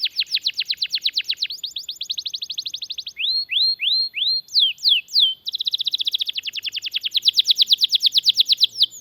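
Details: Extended rolling canary song, played to teach other canaries and trigger their singing: a rapid high trill, rising whistled slurs, then another long fast trill of evenly repeated notes that swells toward the end.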